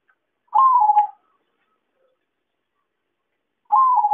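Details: Zebra dove (perkutut) lure call for trapping: two soft coos a few seconds apart, each with a brief rise and then a descending roll of quick notes.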